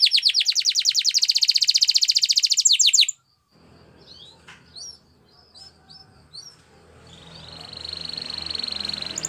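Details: Spanish Timbrado canary training song opening with a loud, fast rolling trill for three seconds, followed by quiet scattered chirps and a faint thin trill rising again.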